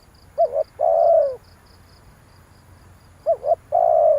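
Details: Spotted dove calling as a lure for wild doves: two low phrases, each a quick quavering double note and then a sustained, gently falling coo, with a faint, regular high chirping in the background.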